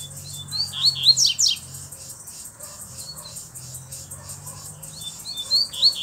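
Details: Double-collared seedeater, black with a bluish-white bill, delivers a quick series of rising whistles and steep sweeps, falls quiet, then resumes with more short rising slurs; faint background murmur.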